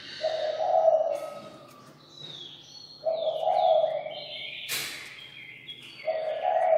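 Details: Chinese francolin used as a decoy to call the flock, crowing hard in loud, harsh bursts repeated about every three seconds, with high twittering and chirps from other small birds in between.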